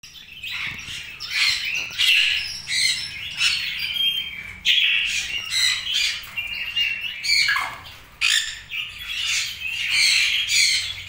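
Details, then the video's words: Imported red-rumped parrots in a continuous chorus of high, harsh chattering squawks and chirps, several birds calling over one another without pause. "RED-RUMPED PARROT"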